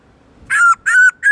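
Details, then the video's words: Black-throated laughingthrush singing in the forest style, a playback for training other laughingthrushes: three loud, clear, level whistles in quick succession, each held about a quarter second, steady in pitch. "Khướu bạc má HÓT GIỌNG RỪNG tone dài to rõ cực hay| Luyện khướu bạc má hót giọng rừng mỗi ngày"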